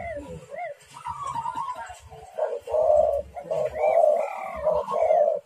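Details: Spotted doves calling hard when provoked by a rival: overlapping low arched coos and longer throaty coos from more than one bird, with a steady low rumbling noise and clatter underneath.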